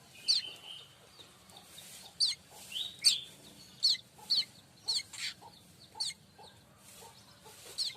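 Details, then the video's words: Streaked weaver, known locally as manyar kembang, in full song as tutor material for pet songbirds: rapid series of sharp, scratchy high notes and short buzzy trills, loud bursts every half second or so. "Manyar kembang dor untuk masteran burung kacer &murai batu anda"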